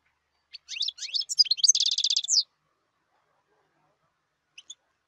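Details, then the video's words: European goldfinch song: a few scattered rising chirps leading into a dense, buzzy rattling trill, then silence broken by two faint high notes. "تغريد حسون جاهز"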